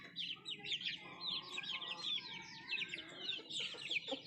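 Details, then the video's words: Nattu kozhi chickens eating food, giving a steady stream of high, wavering chirps from several birds over a faint low rumble. "Nattu kozhi Food eating and sound effect"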